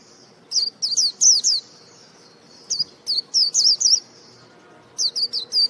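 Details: Purebred white-eye giving high, thin chirps, each a quick curling upturn, in three bursts of three to five notes separated by pauses of about a second; quiet background.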